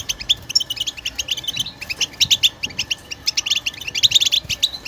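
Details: 'Batbata' song of a European goldfinch, meant to break other birds' silence and get them singing: rapid, jittery high twitters in clustered bursts with brief gaps.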